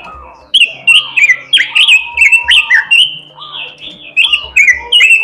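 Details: Robin in full melodious song with imitations: a fast series of loud, harsh, twisting high phrases, roughly three per second, some slurring downward, with a faint steady tone underneath.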